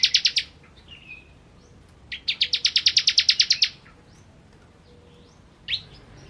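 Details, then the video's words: Bar-winged prinia (ciblek, kristal type) singing actively: a burst of sharp high notes, then a longer run of about fourteen evenly spaced ringing chips, a thin whistle between, and a short rising note at the end. "Ciblek Kristal Gacor"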